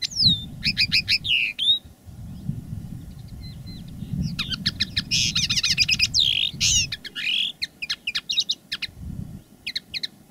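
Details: Decoy common linnet, one of two singing live in different styles, delivers quick twittering phrases, trills and buzzy notes over steady low rumbling background noise throughout.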